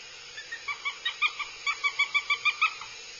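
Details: Aggressive nestling northern goshawks (Accipiter gentilis) on a nest-cam stream from Abernethy, Scotland, in 2022: a quickening run of about fifteen sharp, reedy calls, roughly five each second, growing louder, over steady background hiss.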